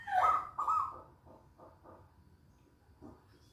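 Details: Local zebra dove singing actively: two loud, rolling cooing phrases in the first second, followed by a series of faint, soft notes.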